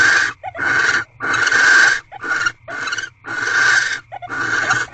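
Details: Harsh, breathy rasps from a barn owl in an owl box on the twelfth night of its mating ritual, evening of 1 March 2023. Seven grating bursts of uneven length come one after another, with faint clicks between them.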